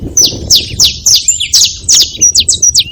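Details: Saffron finch calling noisily at a feeding spot, giving a loud series of sharp, high, downslurred chirps, about three per second, each note clean and slightly varied, ending with a few quicker hooked notes; no other clear sounds.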